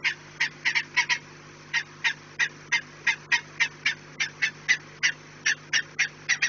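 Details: Peregrine falcon at a nest site on an Orlen installation in Płock, 4 March 2019, afternoon; sharp rasping notes repeated in irregular runs, roughly three per second at peaks, over a constant low mechanical hum.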